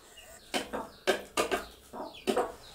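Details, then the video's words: Mother hen sitting with her chicks, calling them to food: five short, throaty clucks in quick bursts, some in close pairs, over a quiet background. "Mother Hen Calling Sound"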